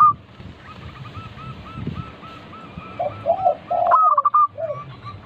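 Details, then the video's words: Zebra dove of local stock singing as a lure for other doves: a long sequence of soft hooked cooing notes, then lower rolling coos and a louder stuttered phrase near the end. "Pancingan burung perkutut lokal gacor - 100% bikin cepat bunyi langsung nyaut manggung"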